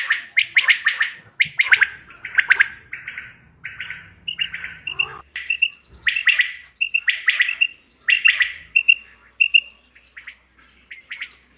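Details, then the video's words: Common quail (bater) calls used as a hunting lure, dated 5 June 2025: rapid bursts of harsh, buzzy chirps in quick series, broken by short pauses, with a few clearer whistled notes between bursts. "bater ki awaz shikar k liye behtareen awaz quail bird sounds for hunting بٹیر کی آواز"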